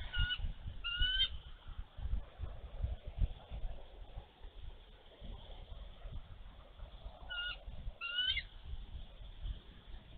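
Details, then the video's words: On a snowy Minnesota day in March 2023, a nesting mother bald eagle guards her egg from a diving young eagle, giving two brief clusters of faint, high piping whistles far apart, with wind roaring throughout. "Eagles ~ Mom in defense of her egg!"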